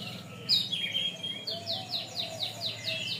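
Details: {'caption': 'Canary song from a long tutor recording for training birds: a sharp high whistle, a drawn-out level tone, then a series of rapid descending high trills repeated about every quarter second, with a faint low hum beneath.'}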